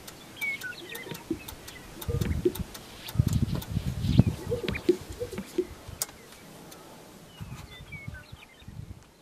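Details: Sage grouse recorded in northwestern South Dakota, giving irregular low plopping and popping sounds in several bursts with soft swishing between them, while other small birds chirp and whistle thinly in the background.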